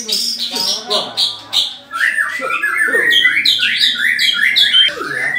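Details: White-rumped shama in a mental test facing another bird, delivering rapid, varied whistles and churring phrases with downward slides. Lower murmuring sounds run beneath it.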